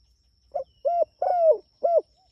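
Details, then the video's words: Spotted dove, calling to its companions, delivers a single phrase of four soft hollow coos: a brief first note, a level second, a long third gliding downward, and a shorter closing coo. "Suara Burung Tekukur Gacor Memanggil Temanya"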